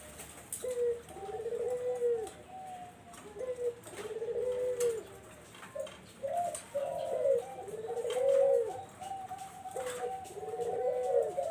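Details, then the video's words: Barbary dove played as a lure for zebra doves, giving repeated two-part coos: a short clipped note followed by a long, low rolling coo, each phrase returning about every two to three seconds, with faint clicks behind. "SUARA BURUNG PUTER"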